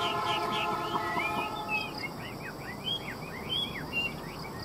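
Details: Chinese hwamei song of quick, arched whistled notes repeated rapidly at mid-high pitch, over steady background noise and a low humming drone.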